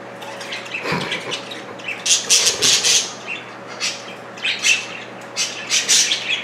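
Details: Two pet budgerigar parakeets squabbling over broccoli, one stretching tall and using its feet; harsh scratchy squawks and chirps in bursts, with wing flutters near the start and a low steady hum indoors.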